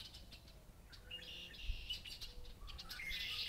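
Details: Red-winged blackbirds singing on a farm in Massachusetts, buzzy rasping trills high in pitch, broken into bursts over a few seconds, with other birds joining and a low rural hum beneath.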